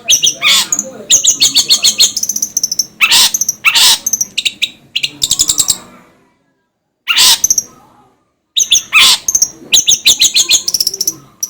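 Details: Long-tailed shrike singing as a tutor recording for training cage birds: loud harsh chattering bursts and sharp high notes in rapid clusters, broken by a few brief pauses.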